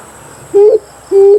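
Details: Lure call of the Amethyst brown fruit dove used in bird hunting: two mellow, even-pitched hoots in quick succession, each lasting about a quarter second and turning up slightly at the close, over low hiss.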